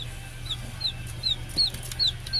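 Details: Several Rhode Island Red baby chicks getting used to one another give high, thin peeps that slide downward, repeated about every third of a second over a low steady hum.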